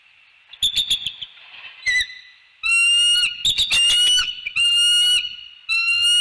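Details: Mating pair of bald eagles on their Northeast Florida nest giving piercing whistled calls, long steady tones layered with harmonics, broken by rapid clicking bursts and short squeaky notes.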